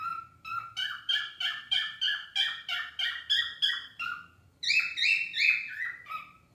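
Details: Domestic cockatiels singing a steady, rhythmic series of about a dozen clipped whistled notes, evenly paced, followed by a higher, louder warbling phrase that trails off.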